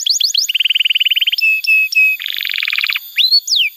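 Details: Canary song meant to teach young canaries and bring silent birds back into song: short looping notes, a quick low trill, a few clear whistles, a harsh buzzy rattle, then rising and falling slurs.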